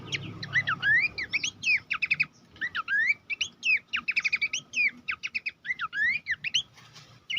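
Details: Horsfield's babbler master song for tutoring contest songbirds. Lively, continuous series of whistled rising slurs, hooked notes and quick chirp clusters in uneven bursts, with a low rumble at the start.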